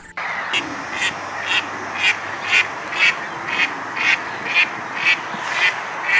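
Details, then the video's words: Duckling in a pond quacking steadily, harsh nasal quacks repeated about twice a second in an even run, with a faint steady hiss behind. "Duck sound - duckling in the pond - duck quack"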